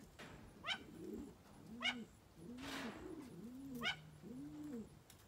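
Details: Malayan great argus from a young captive pair giving low, arched hooting notes about once a second, broken by three sharp, harsh, higher calls.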